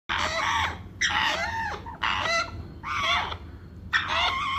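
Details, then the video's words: Tame, hand-fed African grey parrot chicks beg with harsh, raspy squawks, about five bursts in under five seconds, each rising then falling, over a faint low hum. "African Grey Parrot Hand Feeding Chick's"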